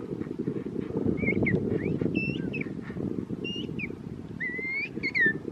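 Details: King penguin chick begging while being fed at a penguin park: a run of high whistled chirps, some rising and some falling, repeated irregularly over a steady loud low rumble like wind.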